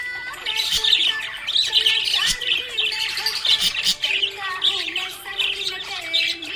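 A budgerigar chatters in a rapid, high-pitched stream of chirps and warbles over faint background music.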